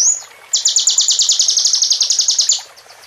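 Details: Plain prinia in full song, its repertoire filled with bar-winged prinia phrases: a brief high whistle, then a long, fast, buzzy trill of evenly repeated high notes lasting about two seconds before fading.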